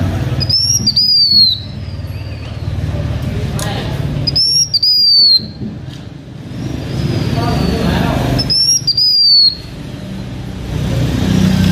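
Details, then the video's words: Decoy song of a blue-winged minla: high, sweet whistles sliding downward, three phrases at intervals of about four seconds, with faint background noises and a steady low hum. "Khướu lùn cánh xanh hót mồi"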